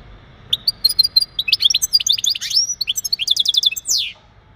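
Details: European goldfinch male singing mating calls to encourage a female to breed; high, rapid twittering notes build into a tumbling phrase with a rising whistle, then a short fast trill and a dropping buzzy slur.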